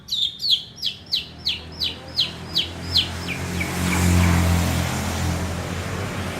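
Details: Long-tailed shrike singing in imitation of a lovebird: a run of about ten sharp, descending chirps repeated several times a second, fading out, followed by a rise of low rumbling background noise.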